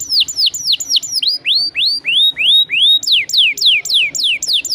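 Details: Atlantic canary singing to lure other canaries into song: quick descending whistled notes, then slower upward-sweeping slurred whistles about every third of a second, returning to rapid falling notes.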